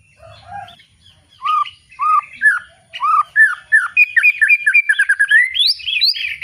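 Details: Loud ngeplong-style song of a white-rumped shama: low soft notes, then clear arched whistles, building into a fast, varied, jumbled run of chirps and trills rising in pitch.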